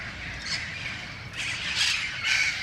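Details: Yellow-headed Amazons from a small but still thriving flock, including a young member, playing at a roost: harsh, raspy squawks in a few bursts over outdoor background noise.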